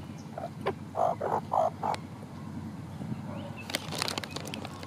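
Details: Magpies near Lake Cliffe, in a group with twenty-eight parrots at breakfast time, giving unusual noises. A quick run of four or five short nasal calls is followed by quieter sharp chirps over a constant low background hum.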